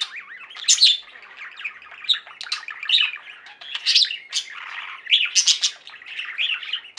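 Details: Budgerigar flock singing and chirping, busy overlapping warbles with rising and falling squeaky notes, buzzy squawks and bright high bursts.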